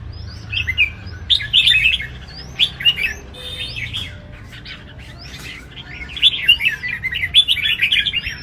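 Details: Caged red-whiskered bulbuls competing at a big singing arena give lively chirping phrases of sharp rising and falling whistles, delivered in clusters separated by brief gaps, over a faint low hum.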